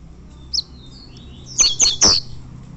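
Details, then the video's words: Double-collared seedeater, a tournament champion singer in fibra competition, giving a short high note, then thin faint whistles and three loud piercing high notes in quick succession. "Coleiro campeão e galador torneio fibra"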